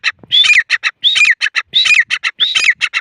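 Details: Partridge (teetar) calling loudly and harshly, phrases repeated about every three quarters of a second, each a whistled rising-then-falling note wrapped in rapid scratchy pulses.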